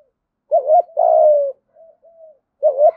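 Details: Decoy spotted dove in daily cooing training gives one full phrase, a brief hooked note followed by a long level coo sliding down, then two faint soft notes and the start of the next phrase.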